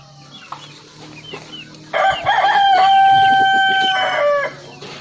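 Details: A single long rooster crow, a rough stuttering start swelling into a sustained, piercing cock-a-doodle-doo that falls at the end, preceded by soft clucks and a low hum.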